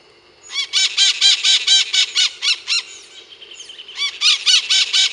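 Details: Scaly-headed parrots, called maritacas, at an experimental farm in Monte Alegre do Sul, São Paulo, Brazil, giving loud, grating, harmonic squawks in quick regular series, with a short gap of softer whistled notes before more squawks.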